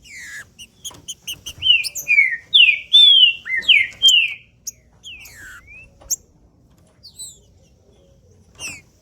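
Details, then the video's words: Male green-winged saltator song used to fire up other males: a run of sharp ticks leading into a burst of full, slurred whistles swooping down and up, then scattered clicks and brief whistles. "Trinca-ferro Macheando com Trinca ferro cantando Para Esquentar Trinca ferro"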